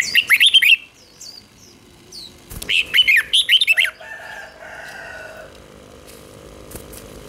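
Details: Red-whiskered bulbul song played to train young birds: two bursts of rapid, warbled, rising and falling whistles, then a soft rustling noise and faint tones.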